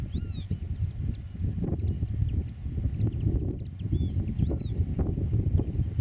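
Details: Eurasian oystercatcher at a meadow nest, recorded about 8 metres away: one clear arched piping call at the start, then a couple of fainter ones later, amid steady deep rumbling noise.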